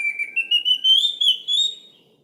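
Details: Song of an Orange-headed thrush used to draw silent birds into singing: a pulsed series of whistled notes that rises steadily in pitch over about two seconds before fading.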